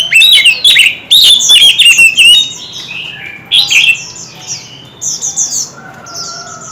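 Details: Contest song of kept white-rumped shamas, many voices: rapid loud warbled whistles and sharp clicks pour out for over two seconds, then intermittent phrases fade into faint high chirping.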